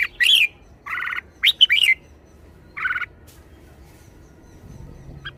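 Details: Red-whiskered bulbul in a lively mood gives a few clear slurred whistles and two harsh rasping buzzes, separated by short pauses, then falls silent.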